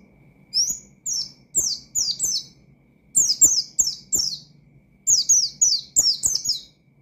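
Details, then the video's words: Oriental white-eye delivering provocative 'nembak' phrases toward rival birds; evenly spaced, piercing downward-sweeping notes in series of four to six, with short breaks and soft thudding sounds. "Burung Pleci Gacor Ngalas Nembak Mangil Lawan,Memicu Emosi Pleci Bahan"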